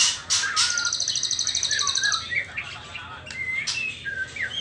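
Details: Trotol-stage juvenile white-rumped shama, not yet in the pastol moult: raspy bursts and a quick ticking rattle, then a string of clear, slurred whistles, some rising and some falling, interspersed with short hisses.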